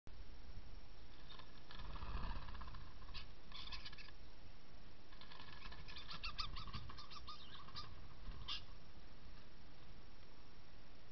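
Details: A common starling at Vacenovice, Czech Republic, during nest building, chatters in bursts of clicks, rattles and thin whistles, two spells a few seconds long, over a steady low wind-like rumble.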